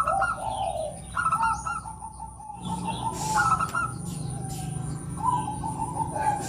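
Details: Female Bangkok-type zebra dove calling to prompt males to sing: a series of soft, hoarse cooing notes, each a short rolling phrase, repeated roughly every second, over steady background hiss and low rumble.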